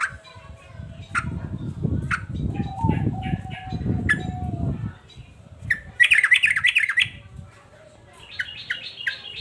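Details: Agitated male sooty-headed bulbul: scattered sharp chips, then a quick burst of warbling, rising-and-falling notes, and later a rapid series of repeated notes, with a low rumbling background and a steady faint tone.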